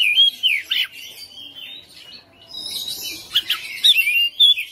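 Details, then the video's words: Oriental magpie-robin kept at home, singing insistently with its varied content: bright whistles and chattering bursts at the start, a quieter warbled middle, then loud rapid whistled notes again. "KACER RUMAHAN FIGHTER NGOTOT | GACOR | BONGKAR ISIAN"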